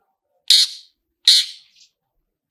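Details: Long-tailed shrike giving a 'toet toet' lure sound meant to trigger singing: two harsh, rasping bursts about a second apart, each fading quickly, with silence between.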